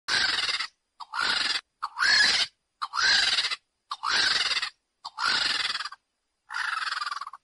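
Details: A lappet-faced vulture (Torgos tracheliotos) gives harsh, rasping hisses: seven coarse bursts about a second apart, each half a second long, with nothing else heard.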